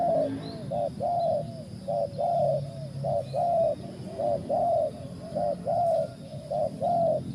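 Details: Repeated mellow coos from a spotted dove, short hooting notes spaced roughly a second apart in a regular rhythm, with faint low-pitched background noise throughout.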